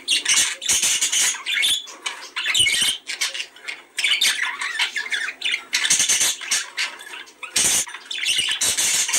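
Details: A budgerigar mating-stimulation recording: vigorous, hissy squawks alternate with rapid twittering warble, loud rasping bursts recurring every couple of seconds over steady chatter.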